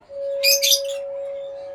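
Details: Lovebirds in a colony: two shrill, harsh chirps in quick succession, both short and noisy, over a steady low-pitched hum that runs through the whole recording.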